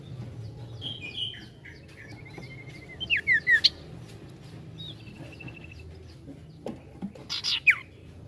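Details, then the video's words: Sirtu bird singing vigorously in a trilling style, with high whistled trills and sweeping chirps in short bursts, set apart by quieter gaps over a faint low background hum. "SIRTU GACOR NGETRIL NGETROL"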